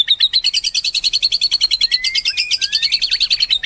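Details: White-rumped shama delivering a fast, rhythmic chattering trill of high repeated notes, with a few thin whistled slurs woven in near the end.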